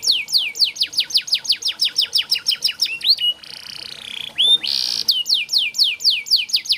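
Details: Canary song used to teach young canaries to sing: fast descending note series, a nasal buzzy passage with a rising slur, a loud harsh burst, then descending notes resume.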